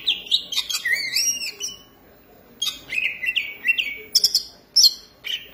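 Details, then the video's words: Green leafbird in song, a caged bird delivering bright, varied whistled phrases with rising and falling slurs and some high sharp notes. "cucak ijo gacor manteb banget"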